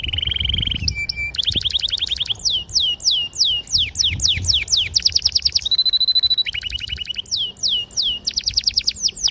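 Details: Vigorous canary song used to draw young canaries into learning their tunes. Buzzy trills, rapid rattles, and repeated loud descending slurs alternate in quick succession, with high ringing notes and a faint low hum in the background.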